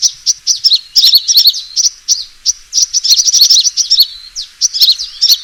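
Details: Lure recording of a fighting sunbird: bright, very high chirps repeated in quick bunches, a few brief gaps between bursts, and no background noise.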